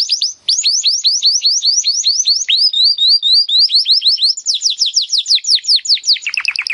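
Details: Timbrado canary song meant as training audio for improving canaries' singing: continuous high chains of quick downslurred whistles, a brief pure gliding passage, then faster repeated notes dropping lower at the end.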